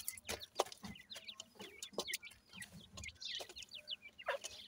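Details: Grey francolin chicks at feeding time: soft rapid high peeps in loose runs, with thumps and clicks and a low background rumble.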